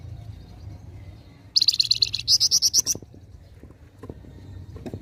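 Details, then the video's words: Flamboyan singing besetan style, a sudden rattling string of high, sharp notes in two quick bursts, about a dozen pulses, then quiet with scattered clicks and low background hum. "Besetan Burung flamboyan gacor"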